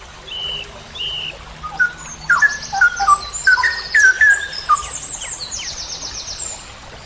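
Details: Straw-headed bulbul (cucak rowo) in a songbird training recording, long-style 'ropel panjang' singing: a burst of liquid whistled notes, mixed with louder high buzzy rattling trills and short chirps from other birds.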